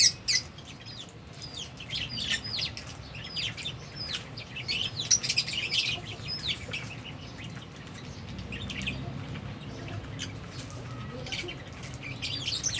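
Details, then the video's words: Albino and Fischer's lovebirds, eating and playing, keep up a dense stream of shrill squeaky chirps, several birds calling at once in an uneven rapid patter, with light wing flutters. "Lovebirds Chirping Sounds"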